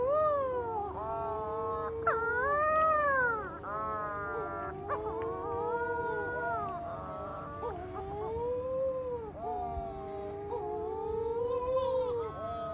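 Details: Several young Matamanoa birds, nocturnal storm petrels breeding on Matamanoa Island, Fiji, wailing at night from bushes; overlapping arched, sliding moans in quick succession, with faint high chirps above.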